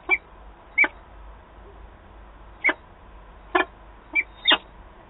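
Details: Peregrine falcons at a nest in Wałbrzych, Poland, on 8 August 2022, calling as two birds meet: six short, sharp, harsh notes at irregular intervals over a steady low hum.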